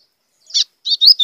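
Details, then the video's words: White-throated seedeater singing in blue grosbeak style, a song used to provoke other birds: one short high buzzy note, a brief pause, then a quick run of bright chirping and sliding whistled notes. "GOLINHA CANTO AZULÃO COM CHAMO PARA FOGUEAR"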